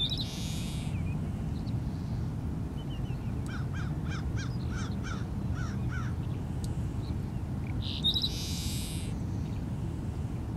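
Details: A Seaside Sparrow in saltmarsh behind Wrightsville Beach, North Carolina, 8 April 2015, gives its harsh, buzzy song twice, about eight seconds apart, with dry clicking notes between, over steady low wind rumble.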